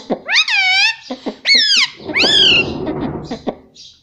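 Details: Pet Indian ringneck parakeet speaking in loud, high, harmonic syllables with arching pitch, several strung together, overlapping with low rustling noise in the second half.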